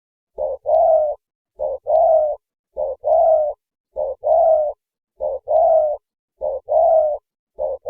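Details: Spotted dove calling to gather its flock: a clear, mellow two-part cooing phrase, a short coo then a longer, rolling one, repeated about every 1.2 seconds in a steady rhythm against a quiet background.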